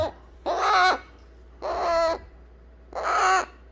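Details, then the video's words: Young eclectus parrot begging to be held after its baby-food feeding: three harsh, grating squawks, each about half a second long, spaced a little over a second apart in a quiet indoor room. "안아달라고 보채는 뉴기니아앵무새 애기 소리"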